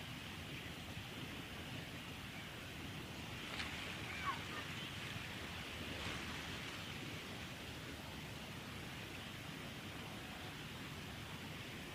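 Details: Steady wind and surf-like rushing noise fill the recording, with a couple of soft thuds and no clear animal voice.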